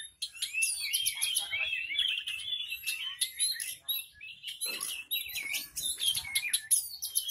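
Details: Horsfield's bush lark of the "hitam putih" type, a kept bird, delivering a dense, fast chattering song of high buzzy trills and sharp chirps, with short rising and falling whistled notes throughout.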